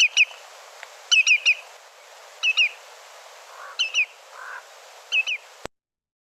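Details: A Lesser Yellowlegs gives clear, high whistled tew notes in quick bursts of two to four, each note slightly peaked or chevron-shaped on a spectrogram. A few soft, low blurry sounds in between.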